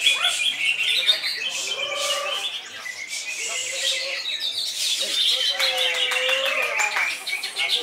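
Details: Greater green leafbird, known locally as cucak ijo, in continuous loud song: varied high whistles, sweeping slurred notes and rapid chattering runs, with a few lower drawn-out whistles mixed in.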